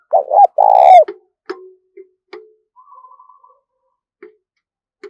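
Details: Lure spotted dove giving an urging coo phrase, a wavering note then a long vibrating coo, followed by irregular knocking clicks and a faint buzzy trill.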